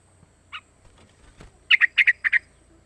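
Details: Young sooty-headed bulbul, three months old, lure calling: one soft chirp, then a fast burst of six bright chirps in pairs over a low hum.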